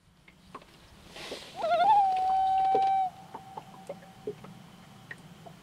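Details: Common Loon on Lake Nubanusit in Nelson, New Hampshire: a single wavering, quavering onset that settles into one long, steady, mournful tone held about a second and a half, with faint clicks and quiet background.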